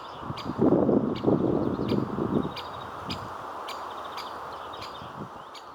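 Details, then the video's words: Great spotted woodpecker giving sharp, high 'kik' calls about twice a second, over a rough low rumble in the first half. "Пёстрый дятел\Spotted woodpecker"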